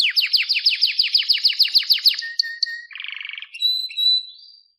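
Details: Singing canary in a tutor recording meant to get canaries singing: a rapid rhythmic trill of descending strokes, short whistles, a dry buzzy rattle, then pure sustained high tones.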